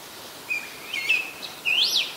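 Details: Short phrase from an Oriental magpie-robin in Ubon Ratchathani, Thailand, 26 December 2020: a thin level whistle, a soft warbled note, then a loud clear whistle sweeping up and sharply back down.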